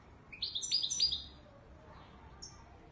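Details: European goldfinch singing in the authentic Moroccan Ouidani Marrakchi style, a short burst of about a second of rapid, high twitters and buzzy notes, followed by near silence and one faint, thin note.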